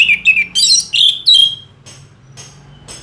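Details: Geokichla citrina, Orange-headed thrush, in sustained 'gacor' song meant for training other songbirds: a quick run of chirped and slurred notes in the first second and a half, then fading to faint scattered notes.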